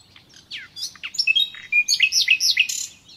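A common nightingale sings a rich, fast phrase of sweeping whistles and sharp chirps, tumbling rapidly between high notes, with a faint low rumble beneath.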